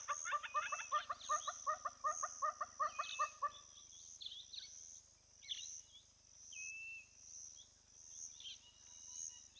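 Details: Female Giant Kingfisher recorded by a hide camera at Lentorre Lodge, Olkirimatian Conservancy, southwest Kenya, gives a rapid, dry rattling series for three seconds. Afterwards come sparse, sharp whistles from other birds and a constant high insect drone.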